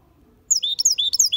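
A goldfinch × canary hybrid sings a fast, bright phrase of high twittering notes, sweeping down and up in quick succession, with nothing else heard.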